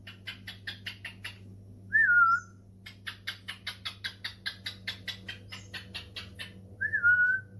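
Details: Pet cockatiel indoors answering a phone call: a series of short repeated clicky chirps, with two loud rising-then-falling whistles standing out, over a steady low hum.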